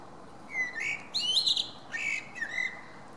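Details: Common blackbird song recorded 10 June 2017, two fluted phrases: low mellow whistles sliding up into a brighter, higher squeaky flourish, with a short pause between the phrases.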